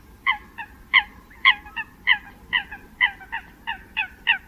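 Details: Eurasian coot (Fulica atra) giving short, nasal, honking notes, about two or three a second, some in quick pairs, over a low background hum.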